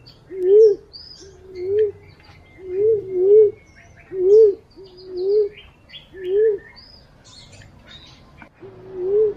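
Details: Green pigeon whistles recorded to serve as a lure: about ten short, warbling, rising-and-falling notes, some paired, delivered in quick succession over a background of scattered high chirps from other birds.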